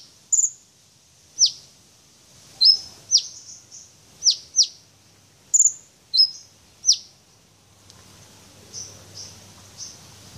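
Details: Brown-throated sunbird praised as a champion singer showing off its repertoire: sharp, high, thin notes, each slurring steeply downward, delivered in separated bursts about a dozen times over ten seconds, fading to softer notes near the end over a faint low hum.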